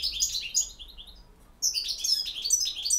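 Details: A European goldfinch gives campero song, with a quick run of high twittered notes, a short silence, then a louder jangling burst of liquid chirps and buzzy trills.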